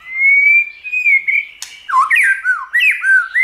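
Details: White-rumped Shama song meant to spur other shamas into singing, opening with a long steady rising whistle, then a quick run of looping, dipping whistled notes.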